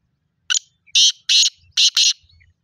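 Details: Black francolin (kala teetar) calling: a loud sequence of harsh, grating, high-pitched notes. A short clipped note comes first, then a broad rasping burst, then a pause, then two more rasping notes close together.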